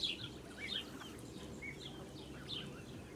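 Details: High, piercing peeps from blue Muscovy ducklings accompanying their mother, recorded on a farm on 8 July 2017. The calls come in quick, uneven bursts over soft steady background noise.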